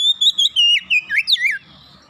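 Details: Oriental magpie-robin phrase meant to coax birds into song: a rapid series of clear whistles that wavers, then drops in swooping downslurs before ending abruptly.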